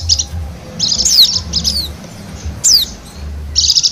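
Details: Wild Bali white-eye song for luring birds: short bursts of high, quick chirping, a falling whistled note, and a closing rapid twitter, with low hum beneath.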